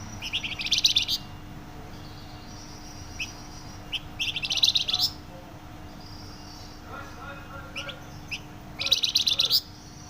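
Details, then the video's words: Flamboyan bird singing loudly and densely, in three bright, high, fast trilled bursts of about a second each, separated by scattered short chirps, with a steady low hum underneath. "Burung Flamboyan gacor suara nyaring dan rapat"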